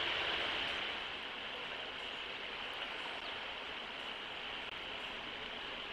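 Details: A steady broadband hiss like rushing water or surf fills the whole stretch without a break; no clear animal calls.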